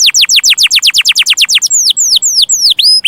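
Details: Canary song used as a tutoring recording for young canaries: a rapid series of sharp, high downward-sweeping chirps, about six per second, giving way to slower, longer slurred whistles that bend down then level off.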